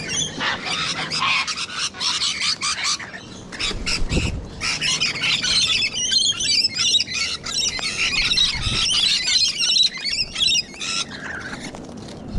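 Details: Sulphur-crested cockatoos with rainbow lorikeets, gathered at a feeding spot in Sydney, Australia: dense, harsh, screechy squawks overlap almost continuously, several birds calling at once.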